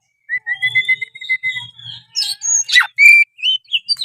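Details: Oriental magpie-robin song: sustained clear whistles held steady, then a burst of sharp, rising and falling notes with a loud slurred chirp and short scattered whistles.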